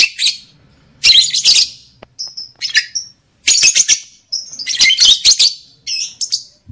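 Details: Lovebird chatter aimed at triggering breeding desire: clusters of sharp, scratchy high chirps mixed with short clear whistled notes, in four main bursts with quiet gaps.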